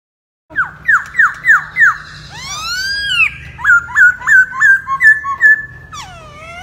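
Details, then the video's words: Masked laughingthrush, a captive bird singing with a dance to attract a female: a run of five clear downslurred whistles near two kilohertz, then broad arching sweeps and a second series of short rising-falling whistled notes, ending in a falling glide. "Poksay HONGKONG Gacor Tarian Burung Legenda"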